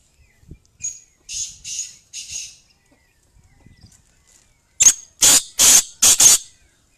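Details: Three softer hoarse rasps from a female black francolin, a pause, then four loud, explosive harsh bursts in fast series.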